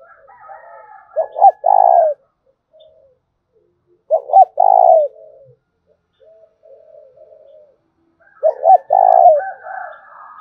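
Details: Spotted dove cooing played as a lure to stimulate calling: three loud phrases about every three to four seconds, each with quick hooked notes leading into a long, falling coo, with fainter background cooing between.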